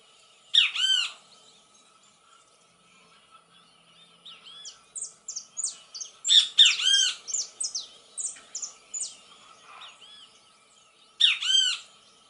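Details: Great kiskadee singing in nature: loud, raspy, arched harmonic phrases recur three times, with a run of quick, sharp, descending chirps between them.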